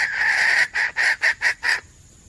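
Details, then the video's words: Wild female junglefowl, red junglefowl, used to lure game: a sustained raspy note of over half a second, then five short harsh clucks at a steady rapid pace. "Suara ayam hutan betina cocok buat berburu"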